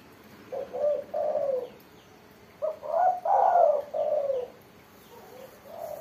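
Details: Actively singing spotted dove, crisp-voiced ('mersik'): two low cooing phrases, the second louder with a long, swelling central note, then a soft trailing coo.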